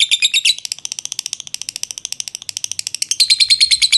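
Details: Show lovebird kept in Jogja, Indonesia, in a long 'ngekek' trilling bout: quick sharp high chatters in a fast run of about three per second, louder at the start and again at the close.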